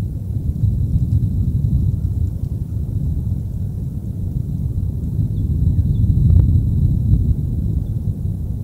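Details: Steady low rumbling wind fills an early February morning at the Decorah North eagle nest, with no animal calls heard.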